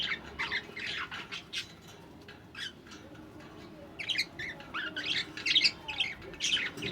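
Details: Newborn budgerigar chicks in the nest, on the first day of hatching, give rapid, scratchy squawks and chirps in an uneven, chattering stream.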